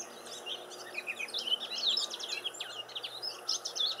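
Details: Silvereyes visiting a garden, chattering in dense overlapping bursts of high, thin, quickly varied twitters, several birds calling together.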